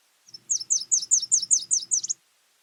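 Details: A male Nashville Warbler, arriving on spring migration to establish a territory and attract a mate, sings a quick run of about eight high, sweet two-part notes, roughly five a second, ending abruptly; faint low hum underneath.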